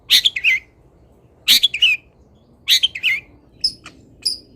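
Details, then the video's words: Local Indonesian long-tailed shrike fill-song material: three rasping chatter bursts about 1.3 seconds apart, each of two or three quick scratchy notes, then two thin high whistles. "ISIAN WAJIB BURUNG CENDET - 99,01% PATI ADA ISIAN MODEL INI | MASTERAN CENDET LOKALAN"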